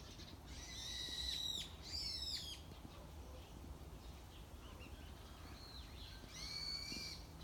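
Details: Invisible wild bird singing in the morning: two bursts of high whistled and chattering notes, a stretch of faint, scattered calls, then another rising whistled phrase, set against low outdoor background noise.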